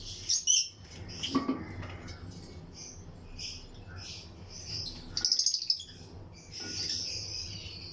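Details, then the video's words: Chirping from a breeding colony of lutino lovebirds in an aviary: bursts of high shrill notes, a quick rattling series near five seconds, then a drawn-out squeaky note, with mixed calls from surrounding birds. "Lutino Lovebirds Breeding Colony Cage - Chirping and Relaxing Sound"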